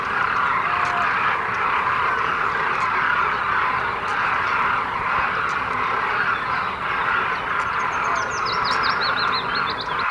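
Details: Flock of demoiselle cranes, a large migratory species, keeping up a steady rolling, trumpeting chorus, with a quick falling series of high chirps from another bird at the end.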